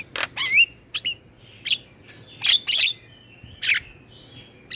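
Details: Black-winged myna and other mynas in a recording used to coax caged birds into singing: scattered harsh squawks and rasping bursts with a few short slurred whistles, separated by quiet gaps.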